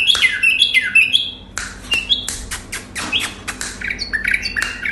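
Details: Iraqi bulbul (white-eared bulbul) singing: quick bright whistled phrases with sharp downslurred and upslurred notes, several bursts a second, interleaved with chirpy fragments, over a faint low hum.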